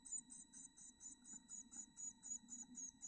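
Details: Chickadee nestlings, two hatched from seven eggs, growing up inside a backyard nest box over 20 days: very high, thin squeaky notes in quick regular pulses, about four per second, over a steady electrical hum.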